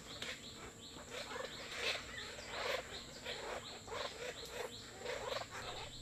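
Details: Greater necklaced laughingthrushes visiting a bird hide for food and water at Kaeng Krachan National Park, Thailand, chatter in harsh, scratchy bursts about twice a second, over a thin, steady high insect whine.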